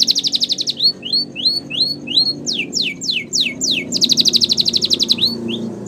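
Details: Canary training song: a rapid high trill of evenly pulsed notes, then a series of upward-slurred whistles, fast descending sweeps and another pulsed trill, with a faint low hum underneath.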